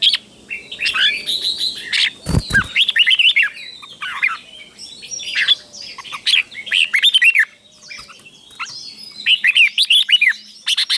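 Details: Red-whiskered bulbul song meant to stimulate caged bulbuls: dense, continuous run of bubbly whistles and chirps, phrases overlapping with little pause, a brief knock early on and faint low hum beneath.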